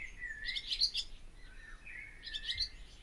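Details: Barn swallow giving two short bursts of squeaky twitter, each led by a thin slurred whistle, with a quiet gap between.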